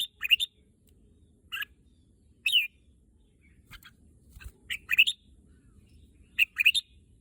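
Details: Short, loud whistled chirps from a red-whiskered bulbul that wants to go to the contest field. Single notes and pairs arrive roughly every second, with faint low rumble between them.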